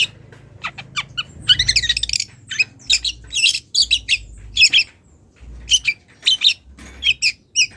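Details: Young wild long-tailed shrike starting to deliver borrowed phrases while calling a rival. Thin ticking notes open into a fast scratchy chatter, followed by repeated grating bursts and sharp chips separated by short gaps. A low hum runs underneath.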